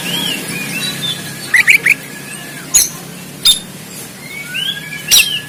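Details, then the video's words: Oriental magpie-robin fighting-style song (kacer konslet tarung), recorded on an Android phone in Banten, Indonesia: sparse high whistles, a quick burst of three rising chirps, sharp clicks and soft downslurred notes over faint background hum. "KACER KONSLET TARUNG"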